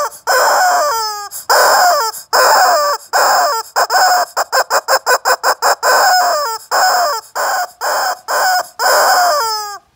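A rooster gives loud, hoarse crow-like calls, each ending in a falling note. In the middle comes a fast run of short clipped bursts, several per second, then longer calls return.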